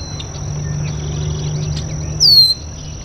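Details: At a local water basin, a red-winged blackbird gives one bright descending whistled note near the end, briefly rising above a constant thin high-pitched drone, with soft scattered chirps and low hum underneath.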